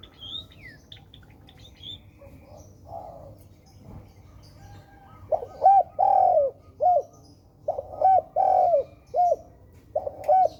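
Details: Spotted dove, called tekukur, with a faint chirp and a quiet stretch first, then two full coo phrases. Short notes lead into a long drawn coo that ends on a clipped note.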